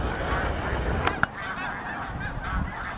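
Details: Snow geese massed at Bombay Hook National Wildlife Refuge, 12 March 2017: a brief burst of overlapping high, nasal honks from many birds, with one sharp louder note and a strong low background rumble.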